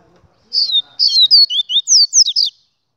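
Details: Clean two-second song of a double-collared seedeater: a string of bright, high, swooping whistles, some rising and some falling, given in quick succession with no other sound.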